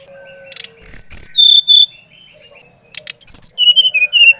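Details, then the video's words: Bali-type brown-chested jungle flycatcher in lively song, used to stimulate other birds to sing; two phrases of clear whistled notes stepping down from high to middle pitch, each note slightly slurred, with a few soft low tones and clicks between. "Kicauan SRDC Bali Gacor Merangsang srdc Bahan agar cepat Ngeplong Gacor"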